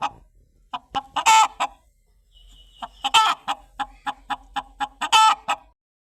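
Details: A chicken gives a string of clipped clucks broken by two loud, rasping squawks, then a brief quiet gap before the rhythmic clucking resumes and speeds up.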